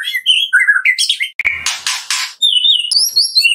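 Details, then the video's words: White-rumped shama of the Medan type singing a full varied repertoire as a lure for other shamas: warbled whistles and high slurred notes, interrupted by harsh noisy bursts. "MURAI BATU MEDAN GACOR FULL ISIAN"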